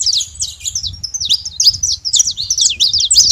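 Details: Flock of free saffron finches at a feeding spot, filling the air with dense, bright, high twittering and quick zigzag trills, with low rumbling background noise.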